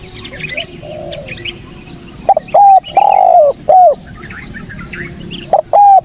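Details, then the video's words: Spotted dove recording meant as a lure for bird trapping: after soft background chirping, a loud phrase of clipped, slightly falling coo notes, one longer drawn-out coo in the middle, then two more coos near the end. "SUARA BURUNG TEKUKUR BERSIH JERNIH"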